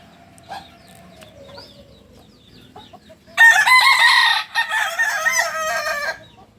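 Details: Native chicken of Solok, West Sumatra, the Kukuak Balenggek rooster, crows loudly after quiet background with faint chirps: a bright opening burst followed by a chain of wavering, stepped syllables for about three seconds.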